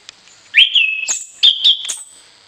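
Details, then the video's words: Orange-headed thrush singing vigorously with varied fill-in phrases, used as a morning and evening tutor for other birds: a long level whistle, then sharp high upslurred notes and a second clear whistled phrase with bright squeaky accents. "ANIS KEMBANG GACOR DOOOR, VARIASI ISIAN, COCOK UNTUK MASTERAN DI PAGI HARI DAN SORE"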